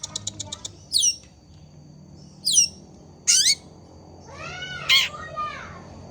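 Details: Long-tailed shrike singing actively: opens with a fast series of clicking pulses, then loud high notes that sweep downward every second or so, ending in a harsher rising-and-falling nasal call over faint background hum.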